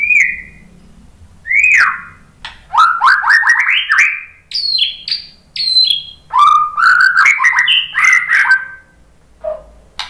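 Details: White-rumped shama answering a lure recording in a long, lively song: level and rising whistles, quick stepped runs climbing in pitch, high ringing notes and warbled phrases, ending with a low note.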